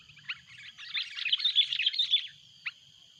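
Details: Sooty-headed bulbul giving noisy, loud calls as a rival comes near: a single short note, then a rapid jumble of bubbly chattering notes swelling for over a second, and a final lone note after a pause.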